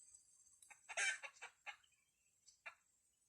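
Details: Wild red junglefowl lured with a decoy in forest: faint, harsh broken syllables grouped around one second in, then a single later burst, over a steady high insect-like hiss and quiet background.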